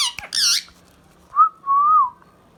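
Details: Pet Indian ringneck parrot indoors: a harsh, layered squawk opens, then after a pause two whistled notes follow, a short rising one and a longer wavering tone, in a quiet room.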